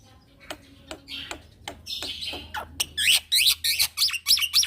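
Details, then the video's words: Young male black-winged myna in full song, kept as a tutor for other birds: sharp clicks and harsh notes speed up into a rapid run of loud, rolling, buzzy phrases. "Jalak Pito Jantan Muda Gacor Ngeroll = MAsteran Burung Jalak Putih"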